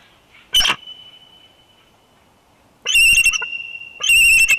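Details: Bald eagle pair at a nest at dusk in Big Bear Valley on 2021-01-20, calling while tracking a large bird flying past the nest; three loud bursts of high, thin, piping whistles with a sustained shrill tone between them.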